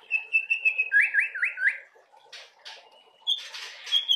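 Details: Brief white-rumped shama song meant to spur young birds into singing: a level trilled whistle, four quick looping warbled notes, then scratchy buzzes and a thin whistle.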